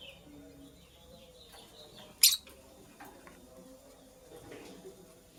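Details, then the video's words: Nesting female purple lovebird gives one loud, harsh, shrill chirp midway, with a few faint softer chirps and low background hum. "Purple Lovebird Chirping Sounds - Female Lovebird Makes a Nest"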